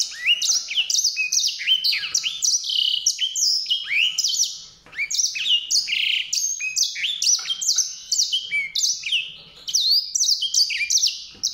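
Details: Long, unbroken stream of bright, high warbling from a White-rumped seedeater, tumbling chirps and swooping whistles repeated in quick succession with only short dips.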